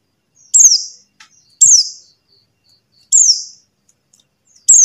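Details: Lure call of a buxtoni white-eye for coaxing silent birds into song: high, sharp notes sliding steeply downward, repeated about every one and a half seconds, with faint ticks between them.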